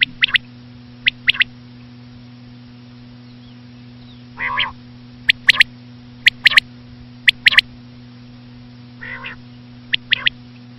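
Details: Repeated common quail song: sharp, high three-note bursts recur every second or two, with two softer nasal, buzzy notes in between. A constant low hum runs underneath.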